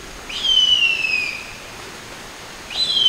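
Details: Female harpy eagle calling for her mate: a high, thin, drawn-out whistle held about a second and gently falling, then a second whistle beginning just as the recording ends, over a steady soft hiss.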